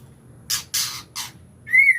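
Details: White-rumped shama in 'ngukluk' style: three rasping, noisy bursts, then a short clear whistled note that rises slightly, in quiet surroundings.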